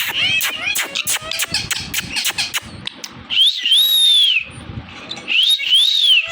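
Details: Pet Indian ringneck parrot talking: a fast run of sharp, clicky high chirps, about three per second, followed by two long, arched, squeaky whistled notes that rise and then fall, in a quiet indoor setting.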